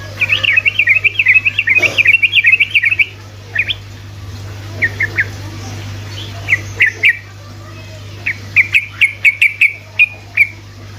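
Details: Sooty-headed bulbul in rapid ropelan singing, played to prompt lazy bulbuls to answer: a fast run of about twenty bubbly, wavering chirps, then scattered clipped notes and a second quick burst, over a steady low hum.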